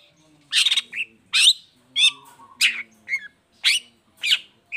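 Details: Lure song of a long-tailed shrike, meant to make sluggish or moulting birds sing: a quick series of harsh, buzzy bursts mixed with short downslurred whistles, spaced about every half second, plus a low steady tone.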